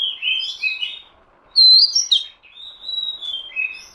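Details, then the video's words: Oriental magpie-robin, recorded for luring birds, singing a rapid string of sweet whistles, including a loud high slurred note followed by softer drawn-out whistles. "suara pikat kacer"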